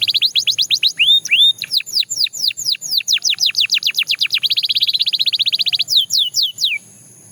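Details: Belgian canary song of bright downward-sliding whistles repeated about four times a second, a pair of rising slurred notes early on, then a fast dense trill before a few final falling sweeps.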